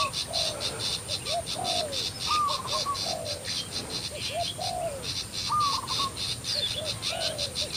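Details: A spotted dove decoy in Thailand, about 50 m away, answers wild doves with soft, mellow cooing phrases repeating every second or so and a brief higher whistled note, over a loud, pulsing insect chorus.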